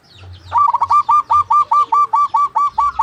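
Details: Local Indonesian zebra dove, a lively singer with a big voice and long breath, calling a rival and used as a lure to start silent birds; after a soft start, about eleven loud, evenly spaced, slightly hooked cooing notes follow.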